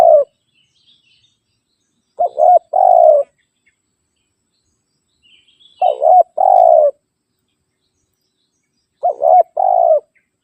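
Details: Spotted dove giving its rival-challenging call, used as a lure for wild birds. Three low cooing phrases about every four seconds, each with short notes and a longer purring coo that falls at the end. Quiet background.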